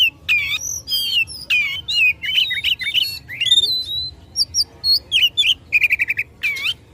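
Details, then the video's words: Provocative fighting song of an Oriental magpie-robin: a rich medley of whistles, chips and buzzy slurs, ending with a fast burst of about seven repeated notes and a final loud phrase. "Kacer Gacor tarung memicu emosi lawan"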